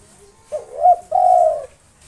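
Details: Spotted dove, local strain, singing to provoke rivals. A single full phrase: a brief opening note, a rising-and-falling coo, then a long, level, buzzy final coo lasting about half a second.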